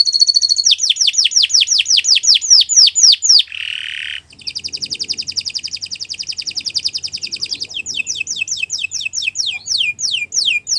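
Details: Canary in long, continuous song used as a training master for other birds: rapid repeated descending whistled notes, a harsh buzzy burst, then fast trilled rolls and further falling whistles.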